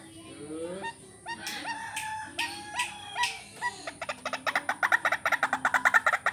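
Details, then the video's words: White-breasted waterhen lure call for training: a few low sliding voiced notes and sharp snaps, then a steadily quickening train of harsh, repeated pulses growing louder toward the end. "Ruak Ruak pikat latihan vocal"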